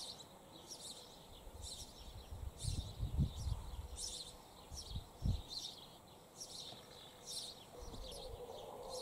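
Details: Nesting sparrow pair in a church wall cavity, the male with many worn feathers: high chirping bursts come roughly every half second to second, with occasional dull low thuds.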